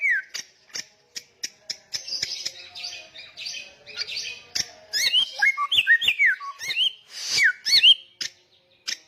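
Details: Energetic, loud samyong song. Isolated sharp ticks lead into a busy stretch of high chattering, then twisting whistled phrases with abrupt clicks.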